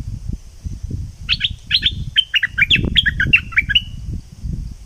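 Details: Thick-billed flowerpecker from southern Thailand, recorded as a lure sound to attract birds: a short, uneven burst of sharp high chips and clicks over low rumbling background noise.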